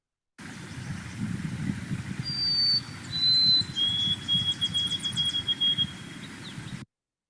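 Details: A White-throated Sparrow (Zonotrichia albicollis), wintering in Kentucky, starts its early-spring song: pure, clear whistled notes stepping down in pitch ("poor Sam Peabody") and ending in a long, wavering held note, over a low rumble and faint chirps.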